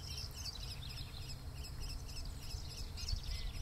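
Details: Lawrence's goldfinch, a rarity in San Mateo County, singing on territory at Lower La Honda Creek Open Space Preserve: a high, tinkling jumble of quick twittering notes without pause over a low rumble of wind or distant traffic.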